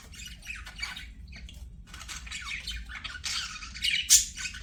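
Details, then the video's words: Budgies singing and playing, softer scratchy chatter with scattered chirps, building near the end to a sharp, loud squawk. "BUDGIES SINGING PLAYING"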